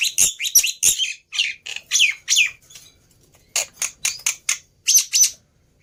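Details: Lure song of a black-winged myna, used to make a quiet bird sing back: loud raspy squawks and grating chatter in quick bursts, a short pause, then another run of harsh notes.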